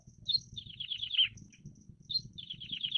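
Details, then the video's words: A free-living plain prinia (ciblek sawah) delivers two energetic phrases, each starting with a high accented note and running into a rapid buzzy trill that drops in pitch, with a low background murmur. "𝗞𝗶𝗰𝗮𝘂 𝗕𝘂𝗿𝘂𝗻𝗴 𝗖𝗶𝗯𝗹𝗲𝗸 𝗦𝗮𝘄𝗮𝗵 𝗚𝗮𝗰𝗼𝗿 𝗔𝗹𝗮𝗺 𝗟𝗶𝗮𝗿"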